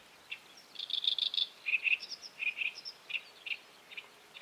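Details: At a high-tide tidal flat shared with mudskippers, a Great Reed Warbler gives a fast grating burst of clustered notes, then slower paired croaky syllables and single chirps that fade toward the end.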